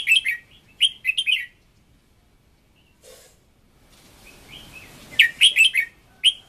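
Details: Red-whiskered bulbul decoy bird sings an intense training song. Several clusters of sharp, warbled notes come at the start, then a brief noisy thump and faint hiss, then more rapid, bright phrases toward the end.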